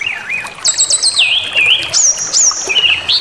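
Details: Brown-chested jungle flycatcher provoking song: a wavy lower whistle, rapid stuttered high notes tumbling into a clear wavering warble, then sharp high downslurred whistles and a closing rising wavy phrase, loud and clean.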